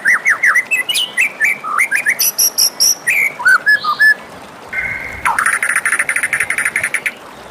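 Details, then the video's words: White-rumped shama morning song with bouncy whistled slurs and high ringing notes, a short steady tone, then a rapid buzzy trill held for a couple of seconds. "suara merdu murai batu di pagi hari"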